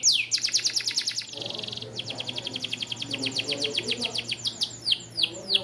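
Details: Canary of the small standard AF type, bon colour, singing to tutor young birds: rapid downward whistles, a flat buzzy trill, then a long run of quick repeated notes slowing into looping sweeps.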